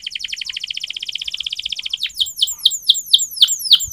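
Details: Canary training song: a fast, even chattering trill of short notes, then slower, louder downslurred chirps repeated about three times a second.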